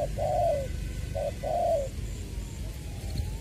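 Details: Spotted dove decoy bird from Trà Vinh, Long Đức, Vietnam, 22 February 2021, in the "Chuẩn Giọng Tiểu" voice; two phrases of a short note followed by a drawn, descending coo, then quiet with only low hum and a faint thin whistle.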